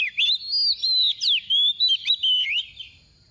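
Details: Soft-voiced decoy oriental magpie-robin, its 'tìu tíu tiu' song used to stimulate other magpie-robins: a rapid chain of roughly eight bright, sweet whistles, some rising, some dipping, spaced under half a second apart before stopping.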